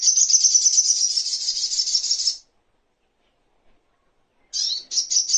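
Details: Little spiderhunter tutoring recording for songbirds: a long, fast, dry chattering trill that slowly fades. Silence follows, then a few sharp, high, slurred notes.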